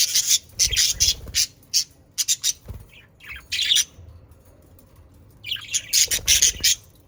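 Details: Budgerigars from the Den Haag region in the Netherlands, whose sounds are used to get pet budgerigars singing. Loud, dense, scratchy chattering comes in rapid bursts, pauses briefly midway, then resumes vigorously.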